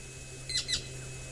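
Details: Woodland kingfisher in African bush, presumably calling for its mate, which then flies overhead, another presumed male listening nearby; two quick, sharp, high notes, each dropping slightly in pitch, over a low steady hum.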